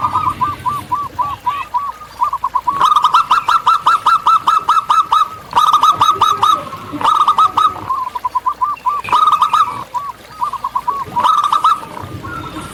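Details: Local zebra dove singing in the wild, a fast string of short hooked cooing notes, bursts broken by brief pauses and rattling stacked notes, with overlapping similar phrases.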